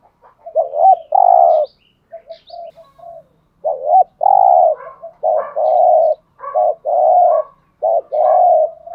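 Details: Decoy spotted dove giving an urging coo series to attract other doves, with long resonant low coos alternating with short double notes, steady and insistent, plus a few faint high chirps.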